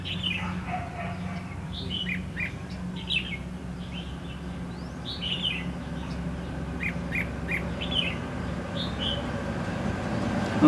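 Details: Red-whiskered bulbul singing above a caged decoy during late-season trapping in Lương Sơn, Hòa Bình, Vietnam: short bright warbled phrases at intervals, over a steady low engine-like hum and background noise.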